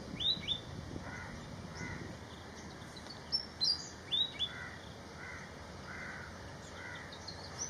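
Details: Malaysian pied fantail in flight in Malaysia: bursts of bright, high chirps and short tweets around the middle, mixed with lower, harsh caw-like calls from other birds over a steady hiss.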